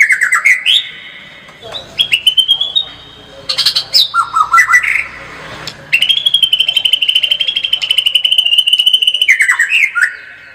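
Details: White-rumped shama (murai batu) singing in the chatty gacor style full of tembakan bursts: varied whistled phrases and squeaky notes, then a long, steady, buzzy trill held for about four seconds before it breaks into falling whistles.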